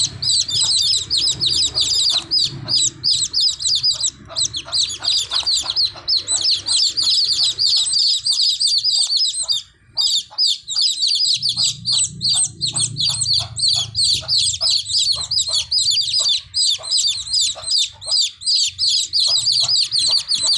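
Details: A crowd of baby chicks peeps nonstop, their high, thin chirps overlapping in a busy chorus.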